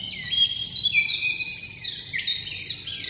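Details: White-rumped shama singing many-toned phrases: strong whistles held high, a dip and slur up, then sweeping rapid notes climbing still higher, steady and loud throughout.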